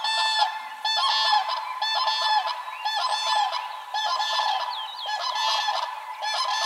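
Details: Several common cranes in spring breeding season, forming pairs and dancing, trumpet at once, loud rolling bugles overlapping almost continuously at about one call per second, with no clear other sounds.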